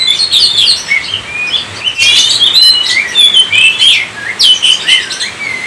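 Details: Oriental magpie-robin pouring out loud, varied song: quick chirps, slurred whistles and rising notes, with crisp bursts separated by brief lulls.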